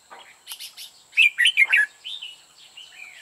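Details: Red-whiskered bulbul singing as a decoy bird at a trap set to lure others: loud, clear phrases of warbling, slurred whistles, rising and falling, in a quick burst, then softer notes, with a constant high electronic whine.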